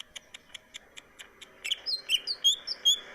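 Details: Greater green leafbird singing, an Indonesian tutoring recording: a steady series of soft ticks about eight times a second, then a string of bright, sweeping whistled notes rising and falling.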